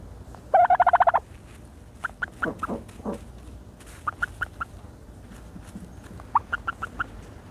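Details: A turkey dust-bathing in dirt gives a quick rattling burst of about eight notes, then quieter scattered clucks and short, thin whistled notes in loose groups of three to five.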